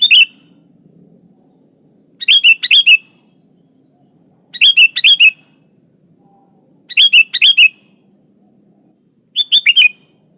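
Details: Energetic sooty-headed bulbul calling out to a rival, its own song without added imitations: five short, bright, warbled phrases of three or four rapid notes, repeated roughly every two and a half seconds, over a quiet background.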